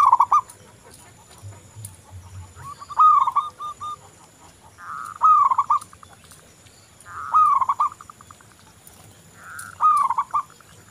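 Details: Local zebra dove song, recorded to encourage other doves to sing: four bubbling coo phrases spaced about two to three seconds apart, each a dipping note breaking into fast stutters, with a soft low hum.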